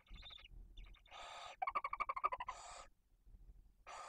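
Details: Barn owl family at a nest in Cabañeros National Park, Spain, with tiny chicks during a prey delivery. Harsh hissing bursts are mixed with a rapid run of ticking, chittering notes, about a dozen in quick succession.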